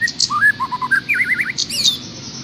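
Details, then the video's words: Bird song used as master recording for tutoring a caged trocok: quick run of clear whistled notes stepping up and down, then sharp high chips and a brief rising trill near the end. "suara masteran buat trocok garuda"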